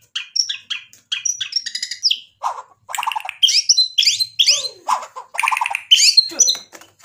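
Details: White-rumped shama singing hard with mimicked phrases to provoke replies from other birds: choppy sequence of short varied chirps, sharp upslurred notes and rattly buzzes, separated by brief gaps.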